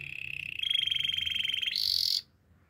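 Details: Canary training song, a low, even rolled trill that steps up into a higher, louder buzzy roll before stopping abruptly.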